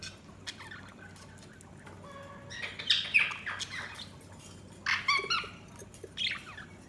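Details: Pet budgerigars chirping: scattered bursts of high, scratchy warbling chatter with short squeaky notes, loudest around the middle and again near the end, over a low indoor hum.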